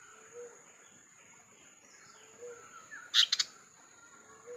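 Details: White-browed fantail (Rhipidura aureola) gives a quick burst of three harsh, scratchy chatter notes over a steady high insect whine, with soft low whistles every two seconds.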